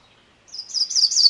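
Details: Brief burst of MacGillivray's warbler song beginning midway: rapid high slurred notes that grow louder and rise toward the end, with the strophe still running as it cuts off.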